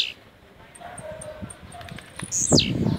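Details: Rojão song of a caged blue-black grassquit, Jacarepaguá, Rio de Janeiro, Brazil: after soft high ticks, one sharp buzzy phrase drops from very high to mid pitch near the end, over low background noise.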